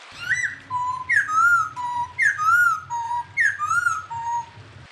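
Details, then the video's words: Unidentified bird, clear training recording for songbirds: repeated two-part phrases, each a sharp higher whistle dropping into a flat lower whistled note, roughly one phrase per second, steady low hum behind. "master suara burung unik jernih"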